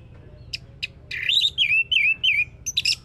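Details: Orange-headed thrush song used as a lure to prompt singing: a few sharp clicks, then a run of rich, looping whistled notes that rise and fall, ending in a high twittering burst.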